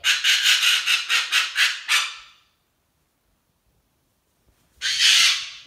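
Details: Cockatoo tantrum, hormonal: about eight rapid, pulsed harsh squawks in a fast burst, a pause, then one more long rasping scream.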